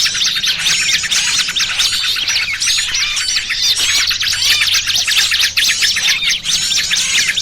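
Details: Small birds' lure sound used for trapping in Indonesia, a noisy trucukan combined with a burcil kejepit mix: a dense, busy chorus of high, sharp chirps and fast trills overlapping without pause throughout.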